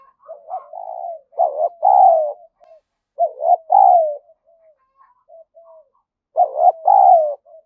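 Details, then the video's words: Spotted dove giving lure coos meant to stimulate and draw other doves, three repeated low phrases of a short doubled coo followed by a longer falling coo, with soft faint notes between. "chim cu gáy mồi gáy thúc và gù"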